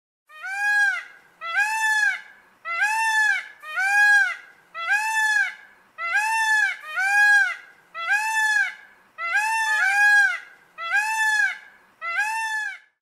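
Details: Peacock (Indian peafowl) at a zoo gives loud, nasal, wailing calls, each rising then falling, repeated about every second in a steady series of eleven.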